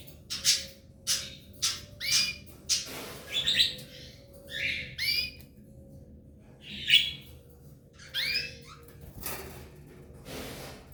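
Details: Nest of a Belgian canary couple with three young: a steady run of sharp, scratchy squeaks, some upward-sweeping, repeated about once a second for the whole stretch, with quiet hum between.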